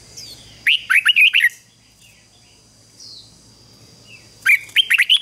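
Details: Singing red-whiskered bulbul used to call in wild birds and provoke them to sing; two rapid bursts of five or six loud, fluty whistled notes, a quiet gap with a single soft slurred note between them.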